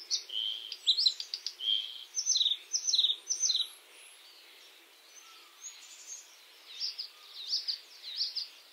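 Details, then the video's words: A White-spotted Bluethroat (Luscinia svecica cyanecula) sings in May, a lively, varied run of high notes mixing sweet whistles, rapid twittering and ringing metallic chirps, with quieter faint phrases later. "A Bluethroat (Luscinia svecica cyanecula) song"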